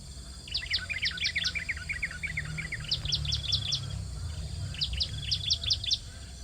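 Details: Hungry bar-winged prinia young call at the nest during feeding. Dense overlapping high chirps tumble downward, then several separate rapid bursts of thin, sharp notes follow, with a low background drone underneath.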